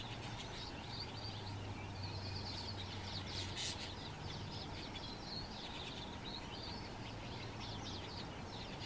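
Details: In Moya, Gran Canaria, November 2024, Atlantic canaries, one keeping the others from feeding, give busy, high, twittering chirps in quick bursts throughout, over a steady low hum of background noise.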